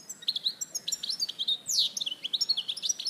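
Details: [6, 'Larache goldfinch, 2014, pouring out dense bright twittering with quick chirps, a sweeping downward note midway and steady rapid trills to the close.']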